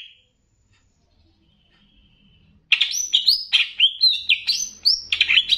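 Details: Banyuwangi greater green leafbird master recording with bebeci-style variations for rousing emotion: after a quiet start, a rapid run of varied whistled and chattering notes, about four per second, jumping between pitches.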